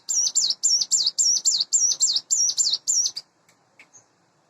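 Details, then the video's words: Morning song of a caged, hand-raised Sunda bush warbler about eight months old: high, sharply up-and-down whistled phrases, roughly ten in quick regular succession over three seconds, followed by quiet with a few faint chirps. "suara ciblek gunung / cigun dipagi hari"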